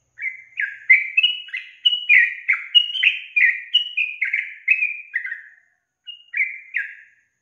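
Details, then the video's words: Female Sooty-headed Bulbul calling in a way that makes males answer: a cheerful run of short, bubbly, slightly descending whistled notes, about two per second, pausing briefly before two final notes, in clean quiet surroundings. "SUARA GACOR TRUCUKAN BETINA YANG BUAT JANTAN NGIKUT NYAUT GACOR"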